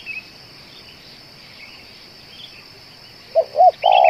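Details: Spotted dove kept as a lure bird, said to call for two hours: after a quiet stretch of faint high chirping, one phrase of two short bouncing coos runs into a drawn-out burry note.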